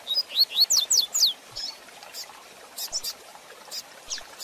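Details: Coleiro (double-collared seedeater) song in the fast fibre style called Tui Tui Zel Zel, used to train and teach young birds: quick run of high, sharply descending whistled slurs over about a second, then sparse faint chips.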